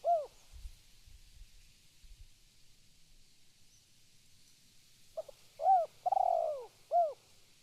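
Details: Spotted dove calling: one coo, a pause with faint low knocks, then a phrase of a short stuttered note, two crisp coos and a longer rolling coo, ending with a final coo.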